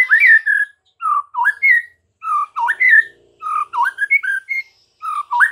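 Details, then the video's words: White-rumped shama master song played to train caged birds, meant to make silent birds start singing and become fired up: loud, clear whistled phrases, some sliding up and down, in short bursts separated by brief pauses. "MASTERAN Murai Batu"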